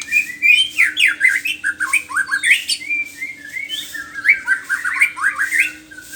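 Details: White-rumped shama singing in the morning: a loud, rich run of rapid whistled and chattering phrases, swooping notes packed closely together, with a faint steady hum underneath.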